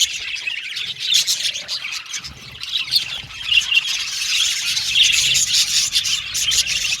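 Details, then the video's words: Cheerful budgerigar chirping: a crowded mix of high twittering, scratchy notes and brief squawks that swells louder toward the end. "Happy Budgies Chirping Sound"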